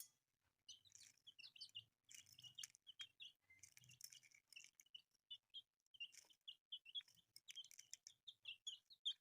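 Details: Brood of newly born, colourful domestic chicks calling: rapid shrill downward peeps, sparse at first, then a steady overlapping chorus, with soft low rustling and patter beneath.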